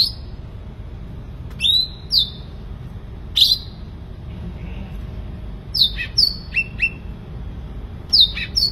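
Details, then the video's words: Sooty-headed bulbul in lively song, giving spaced short phrases of bright downslurred whistles, several in quick pairs, separated by gaps of one to two seconds, with a faint low rumble behind. "cucak ranting gacor"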